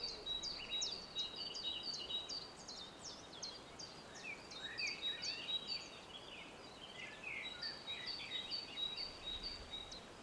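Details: Morning chorus of birds at sunrise on the shore of Mavrovo Lake in Macedonia: many thin high chirps and short downslurred whistles repeating rapidly and overlapping, with a steady soft background hiss.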